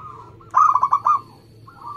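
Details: Local zebra dove singing in a fast, tight style: one brief burst of about six quick, ringing coos between soft, low trailing notes.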